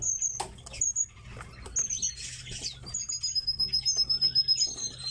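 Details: Tits kept in captivity give sharp, high, thin whistled notes, some drawn out, among soft pattering and scratching sounds and a low background hum.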